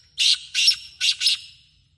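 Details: Kala teetar, the black francolin, recorded in Sindh, Pakistan, gives four grating, rasping notes in under a second and a half, paired in a rhythmic two-plus-two pattern against near silence.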